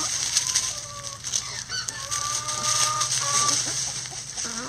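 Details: Backyard coop chickens scratching in leaves, giving thin, level whistled notes and short clucks at irregular intervals against continuous leaf rustling and a low background hum.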